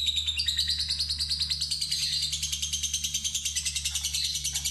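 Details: Inexperienced fighter lovebird being prompted by a lure track toward a long ngekek trill: one continuous rapid, metallic chattering trill running almost five seconds, pulses even and quick, over a low mains hum.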